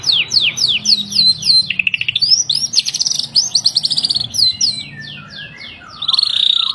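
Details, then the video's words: A new Bornean White-rumped shama, very active and persistent in its display, sings a rich, fast medley of high down-slurred whistles, rattling trills and buzzy phrases with barely a pause. "Burung Murai Borneo beraksi gaya mempesona"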